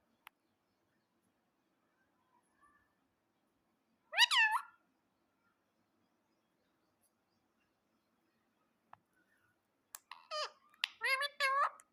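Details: Pet parrot calling in a quiet room: a single loud, harsh, bending screech, a long pause, then a rapid cluster of grating squawks with rich harmonics near the end.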